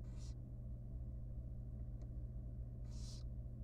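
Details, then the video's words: Very young wild barn owl in a nest box at feeding time, giving two harsh breathy screeches near the start and end, separated by a faint click, with constant low hum. "Yum Yum Yum Yum: Super tiny and young barn owl baby feeding time."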